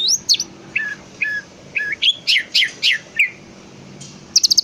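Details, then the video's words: Greater green leafbird singing to provoke a reply from another of its kind: a varied run of clear whistles and downslurred notes, with several rapid loud strokes in the middle and a quick high trill at the end. "Pancing cucak ijo anda dengan cucak ijo ini. D jamin ikut nyaut dan bunyi."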